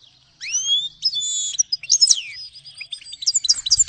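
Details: Grey-headed goldfinch song opens with rising clear whistles, then breaks into a varied, chattering series of high twittering notes.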